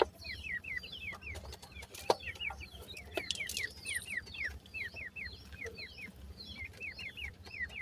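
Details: Grey francolin chicks keep up a continuous run of thin, downward-slurred peeps in clusters of two or three, punctuated by sharp clicking taps and a brief high whine.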